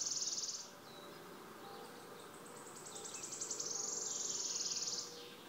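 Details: Wood warbler, Náchod-Běloves, Czech Republic, 5 June 2016: the end of one trill, faint bird chatter, then a fresh series of accelerating high ticks rolling into a sizzling, shivering trill.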